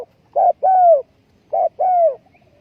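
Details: Two resonant two-note phrases from a spotted dove used as a ground decoy in trapping, recorded 20 April 2020; a short coo leads into a longer, gently falling one.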